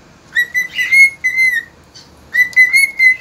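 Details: Cockatiel singing at dawn, recorded 3 September 2019: clear whistled phrases that slide and hold near one pitch, with rich overtones, in two bursts separated by a short pause.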